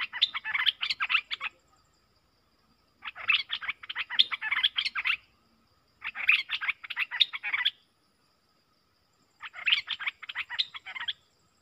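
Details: Streak-eared bulbul pair dueling in song: four bursts of fast, bubbly, chattering notes, each lasting about one and a half seconds, separated by pauses of about two seconds.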